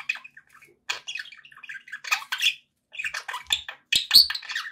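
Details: Pet budgerigars chirping: scattered high tweets and rasping squawks, separated by short silences, ending in a louder cluster of sharp notes.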